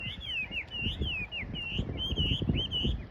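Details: Wild bird singing at a cherry-embankment park on the left bank of the Nishi-Kinugawa river on 2 April 2022, after the cherry blossoms opened: fast, sweet whistled phrases with sliding notes, repeated almost continuously, over low rumbling wind or handling noise.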